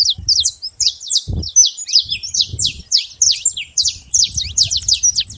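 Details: Wild saffron finch singing free in nature: a run of sharp, high chirped notes in quick succession with brief pauses, faint low rumbles beneath.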